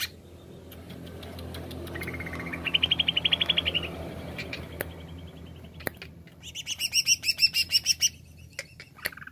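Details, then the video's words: Greater green leafbird in jamtrok style: a quick series of repeated notes rising in pitch, a pause, then a loud, very high rapid trill of sharp repeated notes. "CUCAK IJO JAMTROK WIK WIK"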